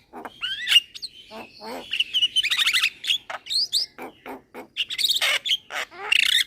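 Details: Young Javan myna singing vigorously while bobbing: rising and falling whistles, buzzy chatters and scratchy notes run together in a busy, nearly unbroken sequence.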